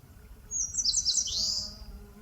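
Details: Eastern crowned warbler in a forest on Palbongsan, Seosan, delivering a clear, high, rapid phrase of several quick notes that slurs into a drawn-out buzzy ending, over soft low background noise.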